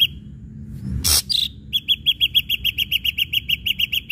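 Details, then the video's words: Ashy drongo in energetic song used to stir other birds into singing: one harsh rasp and a brief whistle, then a steady fast run of about eighteen short bright notes. "srigunting abu abu gacor PANCINGAN"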